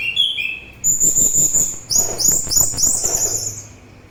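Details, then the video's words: Orange-headed thrush song, used for therapy and as a bird lure: sustained high whistles, then a rapid run of rising, overlapping notes that fades out at the end. "Begitu Syahdu Suara Anis Merah"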